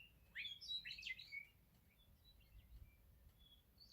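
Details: A meadowlark in the morning gives a quick, bright phrase of slurred, flute-like whistles lasting about a second, followed by a few faint, scattered high notes.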